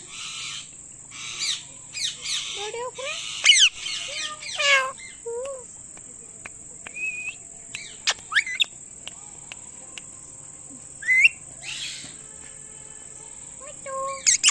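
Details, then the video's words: Pet Indian ringneck parakeet giving loud chirping calls: varied sharp, rising and falling squeaky whistles and chirps, some with rough harsh edges, coming in scattered bursts between pauses, over a constant high electrical whine. "Indian Ringneck Calling Sounds | Loud Chirping Sounds"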